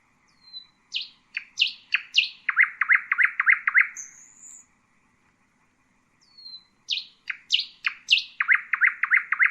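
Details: Two common nightingale song phrases separated by a pause. Each begins with a thin whistle and descending slurred notes, then a fast run of repeated notes. A high drawn-out whistle follows the first phrase.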